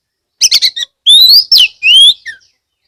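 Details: Loud Oriental magpie-robin (kacer) lure song from Kebumen, Central Java, meant to make other magpie-robins sing along; a quick stuttering chatter, then long sweet rising whistles and a falling slur.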